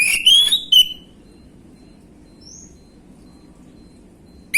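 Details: Short orange-headed thrush lure phrase in gamblingan style, for prompting untrained birds to respond: a rising whistled slur with a few bright notes, then near silence, with a faint high whistle in the gap.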